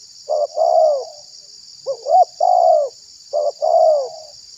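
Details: Spotted dove lure call used to draw in and provoke wild doves: three phrases of a clipped double coo leading into a longer, rolling, falling coo, over a steady high-pitched hiss.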